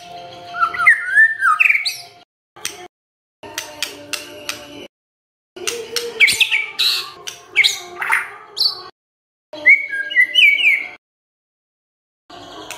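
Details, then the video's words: Song of a White-rumped shama meant to provoke other birds to sing: broken bursts of sharp clicks and chattering notes mixed with a few clear whistled slurs, separated by short gaps. "MURAI BENGONG LEWATTT❗Pasti NYAUT Dengar Pancingan ini❗"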